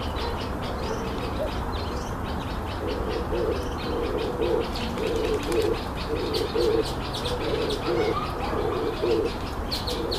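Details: A red-eyed dove (Streptopelia semitorquata) gives low, hoarse cooing phrases of several rhythmic notes, repeated over steady background hiss and faint high chirping from other birds.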